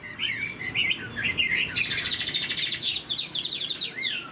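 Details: Large caged Chinese hwamei (Garrulax canorus), moulting and long kept in a cage, singing strongly: loud, varied phrases of rich whistles, slurred notes and rapid trills, pouring out continuously at a high, bright pitch.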